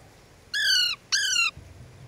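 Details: A pet ringneck or Alexandrine parakeet gives two harsh, raspy squawks, each under half a second and slightly falling, with a short pause between; no clear words.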